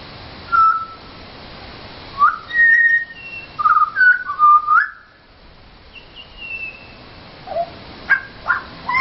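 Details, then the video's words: Pied butcherbirds singing for food in a local garden near Mt Gravatt; pure whistled notes at varied pitches, some held, some rising, with a pause and then higher drawn-out whistles and sharp short notes. "Pied Butcherbirds singing for food"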